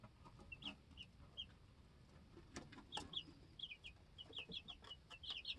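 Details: Two-week-old baby chicks in a homestead coop, hopping about and challenging each other over pecking order, give short high peeps, often in quick runs of two or three that grow busier toward the end, amid scattered sharp clicks and taps.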